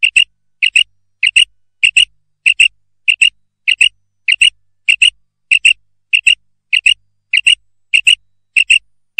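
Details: A female common quail (Coturnix coturnix), in a recording used as a hunting lure, gives soft, high double notes in steady pairs, about one pair every half second, with nothing else heard.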